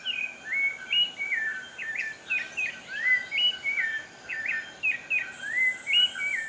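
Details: Rufous-bellied thrush song, which serves to defend a breeding territory or attract a partner: a flowing run of clear, fluty whistled phrases, rising and falling, with notes tumbling one after another and a faint high hiss behind.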